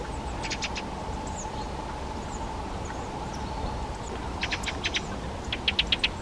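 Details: Fieldfare (Turdus pilaris) giving rapid rattling chack-chack series, one burst of about five harsh notes followed by a louder burst of four, over a constant low background hum and faint high twitters.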